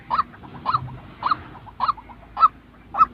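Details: White-breasted waterhen calling, a real recording used to train decoy birds for trapping: six nasal honking notes roughly every half second, with soft trailing notes between them.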